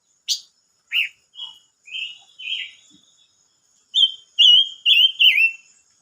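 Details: Silver-eared mesia, recorded on 25 May 2022, giving a sharp chirp, then a run of clear whistled notes that slur downward, ending in four loud fluting phrases in quick succession.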